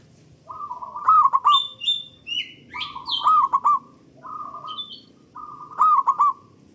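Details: [3, 'Loud local zebra dove song, played to set other doves singing, with four phrases of fast buzzy coos closing in rolled notes about every one and a half seconds, plus sharp high chirps of other birds.']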